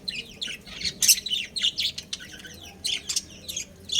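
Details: Budgies from a breeding pair chatter in lively bursts of bright, high chirps and short twittering notes that come in quick clusters with little pause.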